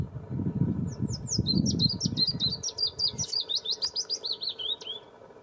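A willow warbler sings a soft, sweet phrase of about twenty quick whistled notes that cascade gently downward over four seconds, over low wind rumble at first.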